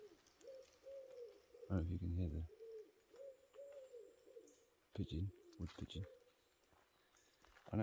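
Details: Pigeon in woodland in Cornwall coos softly in low, hollow, slightly rising and falling notes while a man talks over it in short bursts during a walk with his dog.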